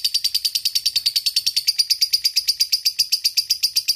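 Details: Fighter lovebird giving a long ngekek chatter to call a rival: loud, rapid, high shrill pulses, about eight a second, unbroken for the whole stretch.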